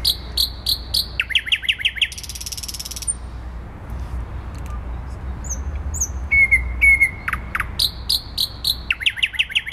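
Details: In central Warsaw on 12 May 2020 a thrush nightingale repeats loud chock series and a buzzing rattle, pauses with thin high whistles, then resumes a fast run of descending notes; a steady low urban rumble persists.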